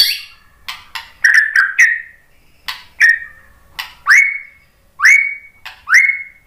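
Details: White-rumped shama song used to provoke other birds to sing: sharp clicks and chips followed by loud rising whistles that level off, repeated roughly every second.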